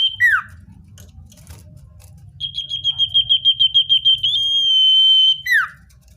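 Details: Common iora, a natural recording used to lure wild birds: a rapid run of short pulsed notes at about three per second leads into a long, steady, high whistle. Sharp downward-slurred notes come at the start and the end.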